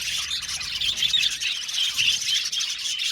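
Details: Short burst of budgerigars chirping in an aviary, a busy overlapping stream of sharp high tweets and warbled chatter.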